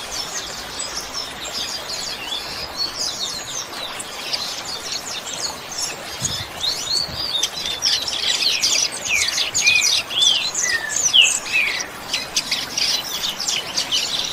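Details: Double-collared seedeater singing in the "chuva" song style, used as training audio for captive birds; a fast, high twittering stream of chirps and quick rising and falling sweeps that grows louder and denser after about six seconds.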